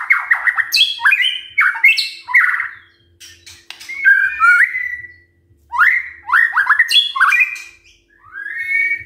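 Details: White-rumped shama song aimed at getting other shamas singing in the morning: bouts of loud whistled notes, quick slurred downward sweeps and sharp high squeaks, repeated in three phrases with pauses, faint low hum beneath.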